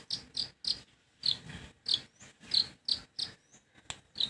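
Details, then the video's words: Long-tailed shrike repeating a short, high, buzzy note roughly every third of a second. A faint rising whistle appears between the notes. "Ocehan Burung Cendet"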